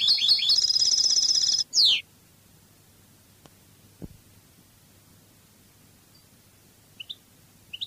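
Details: European goldfinch singing in the Spanish Cadiz style from a wild bird recording: nearly two seconds of rapid, high, jingling twitters ending in a downslurred note, followed by near silence broken by a click and faint chips.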